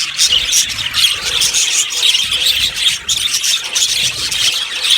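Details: A colony of yellow budgerigars in an aviary, chirping together in a dense, continuous high-pitched chatter of rapid, scratchy warbles and squeaks with no pauses.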